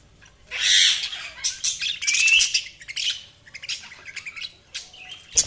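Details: Budgerigar chirping with a loud, scratchy opening burst, a rising whistled squeak, then a string of quick, clipped chirps and twitters tapering off.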